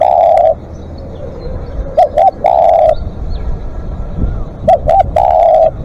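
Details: Spotted dove calling at length: loud, low mellow coos, each long drawn-out note followed by a pair of quick short coos before the next long one, a phrase roughly every two and a half seconds.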